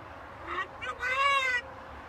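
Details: Macaw parrot talking, giving a brief run of three voice-like syllables that build to a longer, louder, evenly pitched final sound, with low room noise behind.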